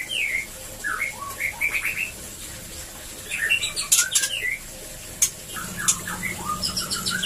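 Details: White-rumped shama in a breeding cage, its song meant to prompt mating: varied whistled phrases with rising and descending slurs, interrupted by sharp broadband snaps, plus a faint low droning tone toward the end.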